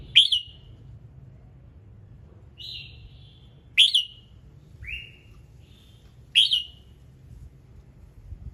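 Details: Red-whiskered bulbul singing in the morning, its many-note song meant to prompt other birds to sing: short bright whistled phrases, some sharply dropping, others level and slurred, spaced about every one to two seconds over a quiet low hum.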